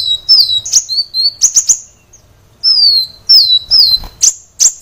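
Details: Sunbird song from a training recording for caged birds, with thin, high whistled notes slurring downward and sharp short chips in two bursts separated by a brief pause.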